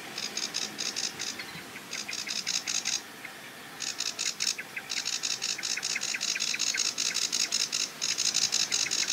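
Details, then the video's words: Sedge Warbler singing from a treetop at the edge of a marsh with a reedbed: long bursts of rapid, dry, repeated chattering notes, high and grating, broken by short pauses. "SEDGE WARBLER Singing & Calling - Acrocephalus schoenobaenus"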